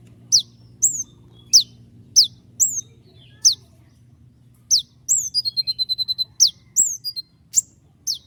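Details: Konin (kolibri ninja) in full, active song used as a tutor for other songbirds: long rolls of sharp, very high whistled notes, some slurred downward, with a fast, evenly spaced trill of about ten notes midway.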